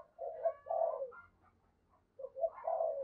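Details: Spotted dove kept as a decoy to lure wild birds, with a deep 'thunder' voice of the bầu style, giving two low husky coo phrases about two seconds apart, separated by a quiet gap with faint higher notes.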